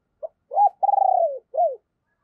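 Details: Caged decoy spotted dove giving deep, hoarse calling coos, used to provoke and lure wild doves: a short soft note, a cooed phrase, a long throbbing rolled coo sliding lower, then a final down-slurred coo, in a quiet setting.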